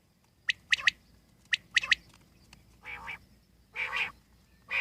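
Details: Wild common quail: crisp high notes in pairs and triplets, then longer, lower nasal calls swelling and fading, with a faint background hum.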